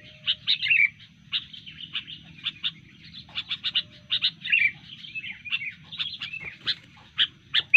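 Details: Sooty-headed bulbul in fighting mood after disturbance: a busy series of sharp chips, quick clicks and short whistled slurs, over a faint low background hum.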